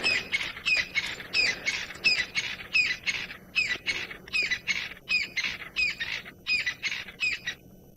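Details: Crested Francolin in the northern Sabi Sand, South Africa, on the evening of 22 May 2018, gives its last call of the evening, not alarmed by a nearby male leopard: a fast run of scratchy, high notes, about two a second for eight seconds, over a faint low hum.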